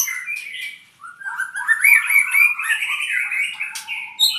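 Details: Albino white-rumped shama, an owned bird from Purwokerto, sings a rich, varied phrase of fast whistled and chattering notes, mostly mid-to-high pitched, with sweeping rises and buzzy trills following each other rapidly.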